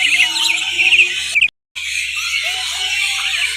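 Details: A flock of lorikeets at a bird park in Hyderabad, Telangana, visited in the afternoon, chatters nonstop with shrill overlapping squeaks and screeches broken by one brief gap, while a faint low voice or music hums underneath.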